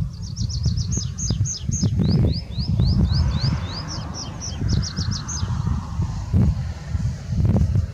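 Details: A singing tree pipit at Tagle delivers rapid high trilled notes, then a set of upslurred whistles, then more trills, over heavy low rumbling noise and occasional knocks.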